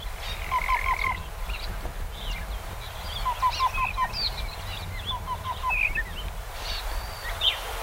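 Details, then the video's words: Singing black-billed cuckoo: short runs of four or five hollow, evenly pitched notes, three groups spread across the recording, mixed with varied chirping and whistling from other birds and low background rumble. "Black-billed Cuckoo Sings"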